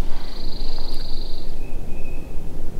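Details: A Pine Warbler, the first warbler heard this spring, sings high in the pines of a mixed pitch pine and white pine forest: a high, even trill of about a second and a half, then a faint thin note, over heavy wind rumble.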